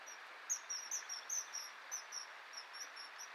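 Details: Common kingfisher during courtship: male offers a fish as a courtship feeding, the female, apparently not hungry, refuses it and the male eats it himself; short, shrill, very high piping notes in loose bursts over rushing water-like background.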